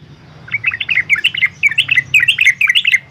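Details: Yellow-vented bulbul recorded in Semarang, Central Java, energetic song meant to spur young bulbuls to sing, gives a rapid, bubbling run of bright chirping notes, tightly clustered and repeated continuously, with a faint low hum underneath.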